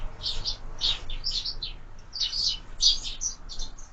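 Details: Sparrows feeding at window feeders give quick, separate high chirps in short clusters, about a dozen notes, with a quiet background.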